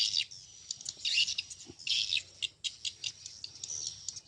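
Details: Swiftlets calling: high, clustered chattering and twittering bursts, several birds overlapping in a resonant space, with short gaps between the buzzy notes.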